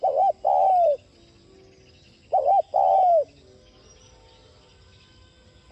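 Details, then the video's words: Spotted dove, played to spur other doves into cooing, giving two coo phrases about two seconds apart. Each is a short clipped note followed by a longer, slightly falling mellow coo. "Cu gáy THÚC giọng Sát Bổi kích bổi nhanh nổi nhanh gáy"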